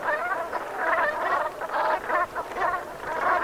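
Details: Gabbling Brent geese, Gulf of Morbihan in Brittany, France, autumn sunset of 7 November 2021: throaty burred calls in repeated short bursts, several per second, from a crowded flock with no pause.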